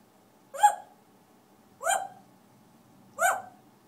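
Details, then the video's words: Pet African grey parrot indoors giving three short, clipped hiccup-like calls spaced a little over a second apart, each a quick upward-swept burst. "African gray parrot sings"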